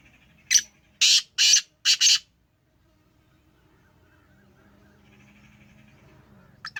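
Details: Home-bred black francolin of the Sheedi line calling: one sharp grating note followed by a rapid rasping phrase of four harsh notes, then faint low humming and a distant squeak.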